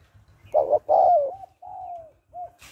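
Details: Cooing of a female spotted dove meant to excite a male: two loud rounded coos, then a long sliding croo, a drawn-out softer falling note and a brief coo, over a low rhythmic thumping and a closing noise burst.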